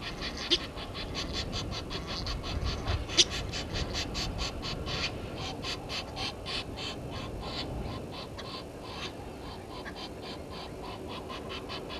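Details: Egyptian geese quarrelling with intruder geese at Gowrie dam waterhole, Djuma Game Reserve, Sabi Sand Wildtuin, South Africa, filmed by a live camera at 17:08 on 10/04/21; rapid harsh honking bursts, several each second, over steady background noise.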